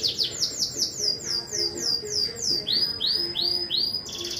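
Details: Domestic canary in competition, 12th edition, Juiz de Fora, Minas Gerais: rapid series of high sliding notes, slowing into broader swooping phrases about three per second, steady background hum.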